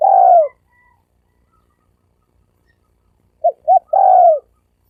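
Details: Spotted dove in the "sấm đồng" cooing style, recorded in 2020 as a lure for males, females and wild birds: the tail of a long purring coo, a pause, then two short notes and another rolling descending coo.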